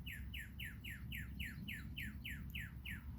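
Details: Northern Cardinal, a red bird heard but unseen in a yard tree one morning, singing a rapid series of loud, clear, down-slurred whistles, about four per second, over steady low traffic rumble while blue jays visit; Northern Cardinal.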